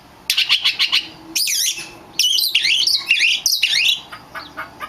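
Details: Oriental magpie-robin song used as a lure to make other magpie-robins answer and sing: bursts of rich high whistles, sweeping slurs and rapid chattering notes separated by short pauses.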